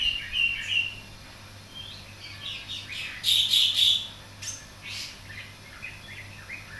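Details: Caged greater green leafbird, a young bird learning its song from Asian pied starling, bearded bulbul and green-winged bulbul tutors, gives rapid high chirps and whistled phrases in bursts, with a constant low hum.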